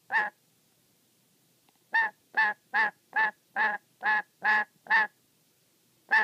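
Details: Black-capped lory kept as a pet, angry and very wary, scolding an onlooker while at play with its beloved socks: one rasping squawk, a pause, then a rapid run of eight harsh honking calls, then another.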